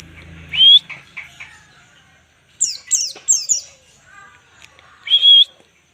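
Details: White-eye (pleci) ngalas song for training birds: short whistled notes, a cluster of four high descending chips, then a final sustained whistle.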